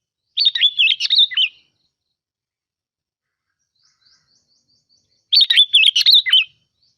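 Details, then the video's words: A sooty-headed bulbul gives two bubbly, chattering phrases of about a second each, five seconds apart, high and fluty with quick up-and-down notes. "Tiếng Chim Bông Lau Mồi | birds singing"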